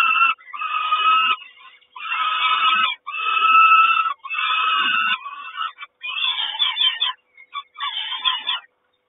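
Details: A peregrine falcon mother feeds at a Kawęczyn nest on 3 June 2022. Harsh, even-pitched calls come in repeated bursts of about a second, with choppier, broken calls in the last few seconds.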